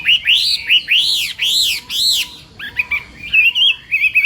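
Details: Chinese hwamei in morning song practice, giving loud arched whistles that rise and fall, repeated about twice per second, then a quicker string of wavering, chattering notes.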